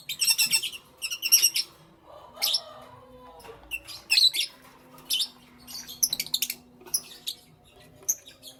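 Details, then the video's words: Pet lovebirds in the morning, loud shrill chirps in rapid bursts of two to four notes, with short pauses and a soft lower rustling sound between bursts. "Lovebirds Chirping Sounds"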